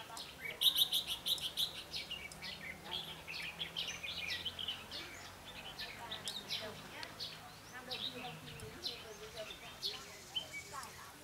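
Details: Red-whiskered bulbul kept as a decoy bird, singing to provoke rivals: quick bright chirps and whistled phrases, with several birds calling over each other and faint background noise throughout.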